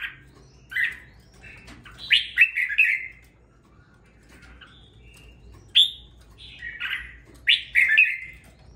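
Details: Caged red-whiskered bulbul, bought for its body shape and raised for two weeks, singing with some fire: short bright warbled phrases in bursts, loud clusters near two and seven seconds with quieter gaps between.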